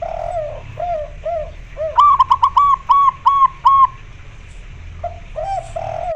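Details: Local white-barred zebra dove female calling a male to mate, mixed with spotted dove calls: a few soft low coos lead into about six loud, higher, clipped cooing notes in quick succession, then low coos again over a steady faint hum.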